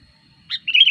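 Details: Sooty-headed bulbul lure song, used to attract wild birds and for tutoring: one quick phrase, a sharp downward note followed by a rich, wavering, bubbling warble, with a constant thin electronic whine behind.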